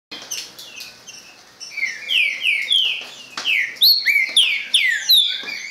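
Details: Green-winged saltator, a kept bird with an owner, singing loud downward-slurred whistled notes in quick succession after a quieter start, over a busy background of thin high chirps.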